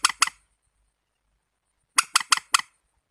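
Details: Warbler gives a pair of short, scratchy notes, then after a pause a faster run of four rasping notes, in a quiet setting.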